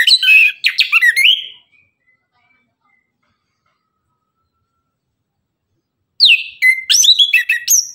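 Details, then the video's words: An orange-headed thrush sings loudly in the morning, giving two quick bursts of rich, varied, high warbled phrases with sharp chirps, separated by about four seconds of silence. "Anis kembang tembakan gacor pagi hari, bunyi langsung nyaut gacor"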